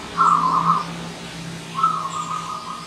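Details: Wild zebra dove, a visitor, giving two clear trilled rippling coo phrases, the second softer, over a low steady hum and faint high chirps.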